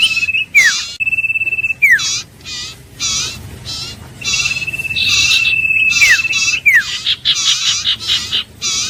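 Common Iora: long, level whistles that end in a sharp downslur, mixed with quick buzzy, chattering bursts repeated about every second. No other clear sounds.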